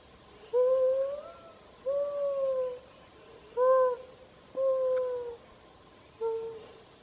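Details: A mourning dove under a rain tree gives soft, low hooting coos, five smooth notes spaced about a second or two apart, some slightly rising, over a faint steady background hiss.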